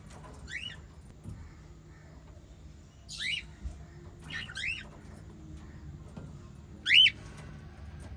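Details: Captive white lovebirds chirp in short rising notes at irregular intervals, a double call near the middle and a loud clear chirp toward the end, over a low background hum.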